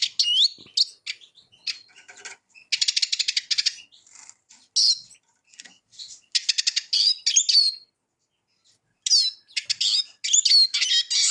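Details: Eurasian siskin song in bursts: high buzzy trills and sharp twitters broken by short pauses, with brief rising and falling whistled notes between phrases.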